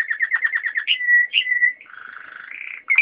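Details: Waterslager canary in song, giving a string of rapid warbled notes, two long level whistles, then a low throaty rolling passage rising into a brighter trill.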